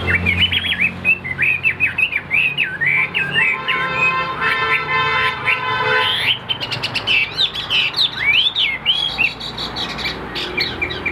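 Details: Afternoon song of a caged tam hoàng Chinese hwamei, not yet at full power: varied whistled phrases, trills and slurred notes shifting in pitch, broken midway by a few sharp clicks and knocks.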